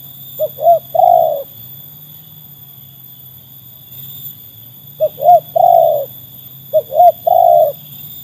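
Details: Trained Spotted Dove, its quality said to be tested against wild birds: three groups of low hollow coos, each a short double note then a longer drawn coo, separated by pauses of about three seconds over a steady low hum.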